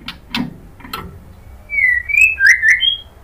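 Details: Female white-rumped shama calling the male: after a few clicks, a series of clear whistled notes sliding between high and mid pitch, each under half a second.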